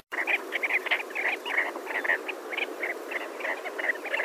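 Sandgrouse chatter steadily, with many short, throaty, gurgling notes overlapping in quick succession from several birds calling at once.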